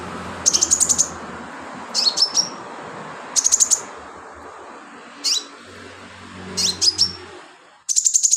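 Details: Sunbird singing steadily, recorded as filler song for teaching other birds: high, rapid trills and clipped slurred notes come in short bursts roughly every one and a half seconds, with a low hum in the background.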